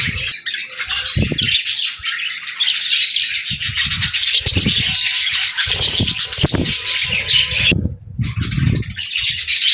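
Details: Friendly pet budgie singing and chirping happily: continuous high, scratchy warbled chatter, with repeated low knocks and bumps underneath and a brief gap near the end.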